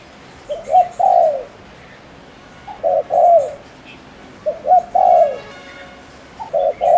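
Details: Spotted dove kept as a lure bird from Ninh Thuận, Vietnam, cooing to stir up rival males: four mellow, low two-part coo phrases, a short note then a longer rolling one, repeating about every two seconds over quiet background.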